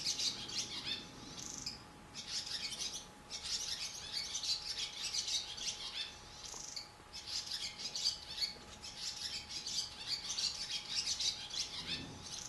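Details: Barn swallows nesting in a cow barn, adults feeding babies in the nest; bursts of rapid, high twittering and chirping come in clusters separated by brief pauses, with a steady low hum in the background.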